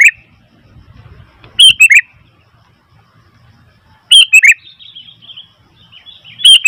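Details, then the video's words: Sooty-headed bulbul calling noisily: three loud bursts of quick, slurred chirps spaced about two and a half seconds apart, with near silence between them. "Suara Burung Kutilang ribut"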